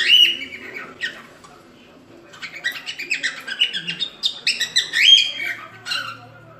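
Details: Cockatiel song used for teaching another cockatiel to sing, opening with a clear rising whistle, then a busy sequence of chirps, warbles and short whistled phrases, ending in a bright upslurred whistle.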